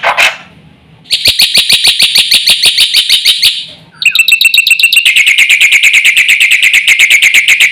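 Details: Song of a black-winged myna in full voice, played to stir other mynas into calling: a short rough note, then two long fast trains of high, metallic repeated pips, the second lower and steadier.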